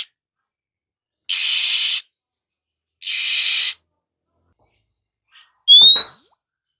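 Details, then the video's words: Oriental magpie-robin in the morning: two long, coarse rasps, a few soft chips, then one loud rising whistle. "suara burung Kacer pagi hari"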